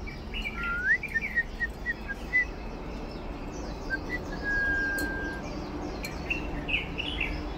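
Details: Red-whiskered bulbul, one of a breeding pair nesting on a perilla plant in March, gives short, liquid whistled notes, one rising sharply and one long and level, scattered over several seconds against a steady low hiss.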